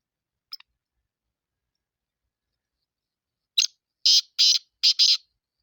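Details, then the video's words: Black francolin call: after a faint click, a burst of four harsh, grating notes in quick succession, the last two run together, with silence around them. "کالا تیتر کی آواز سندھی کالے تیتر کی مکس آوازیں"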